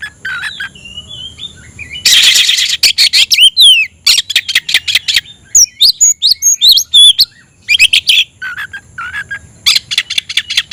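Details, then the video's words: Oriental magpie-robin in search of a rival, singing a rich mix of loud noisy bursts, rapid rasps and clear, high whistled notes that swoop steeply up and down. The song runs almost without pause. "suara burung Kacer mencari musuh"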